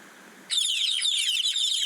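Chicks peeping, with shrill, high, rapid overlapping cheeps that each slide downward. They start abruptly after a brief quiet hiss.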